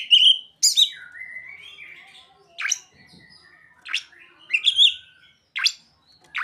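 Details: Oriental magpie-robin performing song with ciblek and sogon mimicry: loud whistled notes, long low warbled glides, and short sharp high bursts repeated about every second.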